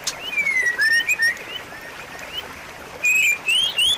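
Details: White-rumped shama song used as a lure to get a silent shama singing again: a long falling whistle, short slurred notes, then clear rising whistled phrases near the end, over a steady backdrop of faint repeated upslurred chirps.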